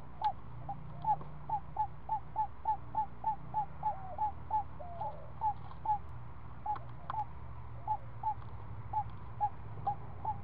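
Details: Seven-day-old owl owlet at the nest during an afternoon snake feeding: brief falling notes in uneven bursts with short pauses, some louder clicks, and a steady low background hum.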